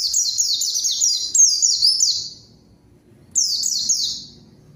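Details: High, rapid zosterops (pleci) song played as a lure to provoke rivals and get quiet birds singing: a dense run of quick descending chirped notes for about two seconds, a short silence, then another burst.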